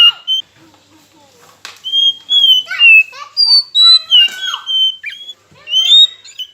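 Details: Oriental magpie-robin singing as a rival-provoking lure: busy jumble of whistles, harsh chattering notes and clicks, with level whistled tones and descending slurs crowded together amid some background noise.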